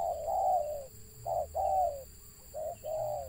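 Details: Stuttering coo of a wild spotted dove: drawn-out low hollow notes interrupted by short clipped ones, the phrase faltering in a broken rhythm, a faint constant hum in the background.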